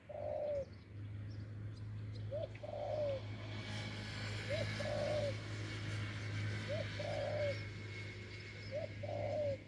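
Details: A wild spotted dove with a big, deep voice, recorded while being lured with a decoy, repeats a short rising note followed by a falling coo five times at steady intervals, with a droning engine rumbling underneath.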